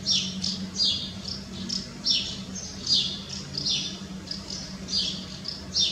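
Common house martins give dry, chirruping twitters in quick bursts, high-pitched and repeated irregularly, over a low steady hum.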